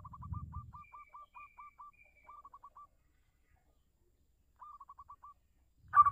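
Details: Local zebra dove song used as a lure to draw answering doves: quiet stuttering series of short clipped notes, repeated in three bursts, with a faint thin whistle above and low rumbling thumps at start and end.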